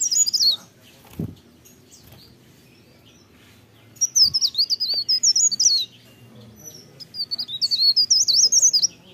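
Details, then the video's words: Leaf warbler in energetic morning song: a short high twitter, a long pause with soft knocks, then two extended runs of fast, thin, wavering warbled notes. "cikrak daun, pare pare, blerengan gacor pagi hari merdunya"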